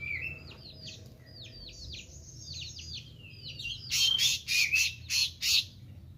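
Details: Meranti bird singing actively: a run of whistled notes sliding steeply downward in quick clusters, then five loud, harsh buzzy bursts laced with bright whistles.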